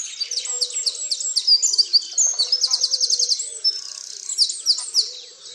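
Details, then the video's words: At dawn on 30 March 2019 at Tophill Low nature reserve, near the main hide picnic table, one bird sings loudly and clearly in the foreground. Its song includes a fast, even run of repeated notes, with fainter birds behind. "TopHill Low dawnchorus 30/03/2019"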